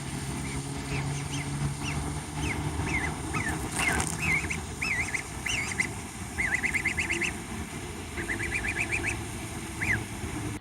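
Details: A happy, excited gosling greeting a person peeps in high, bright notes, some single and some in quick rippling runs, over a low steady rumble.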